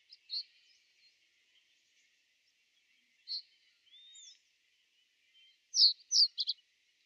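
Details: Common reed bunting heard at Genk, Boxberg in the winter of 2012–2013: scattered high, sharp call notes, then a quick cluster of four down-slurred notes at the end, with faint thin whistles and soft rural background noise between.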